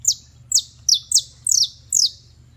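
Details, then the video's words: A Creole canary sings a series of six clear, high, downward-sweeping whistles, each sliding steeply then trailing off, repeated roughly every half second, the later ones slightly doubled. "Canario Criollo Basto Cantando"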